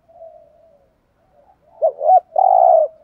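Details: Decoy spotted dove provoking other males: a faint drawn-out murmur, then two short rising notes and a loud, sustained, rough coo.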